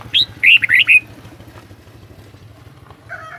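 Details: Red-whiskered bulbul kept as a cage bird giving a rapid run of four loud, liquid whistled notes, then near silence with a faint harsher sound at the end.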